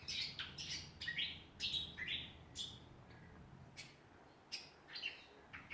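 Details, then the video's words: In a backyard at Ballajura, Western Australia, songbirds deliver rapid, high chirped notes, many sliding downward, in clustered phrases roughly twice a second, with a low background hum. "Australian songbirds in backyard."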